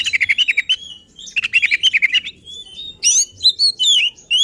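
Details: Agitated oriental magpie-robin singing hard, showing its repertoire, meant to provoke rival magpie-robins; fast repeated pulsing trills give way to loud ringing whistles and swooping slurred notes.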